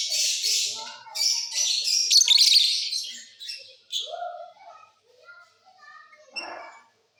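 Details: Mutation lovebirds singing during the off season in a flying cage: dense, buzzy high twittering for about four seconds, then thinner chirps and softer, voice-like sounds.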